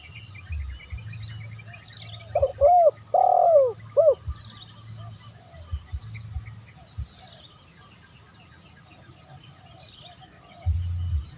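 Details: Spotted dove coo phrase meant for luring other doves: three or four short arched coos with a longer central note, heard briefly amid faint background noise and low thuds.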